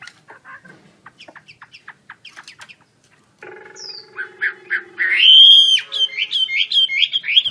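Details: Chinese hwamei in song: soft ticking notes, then a steady low tone under rising loud whistles and rapid, repeated bright phrases.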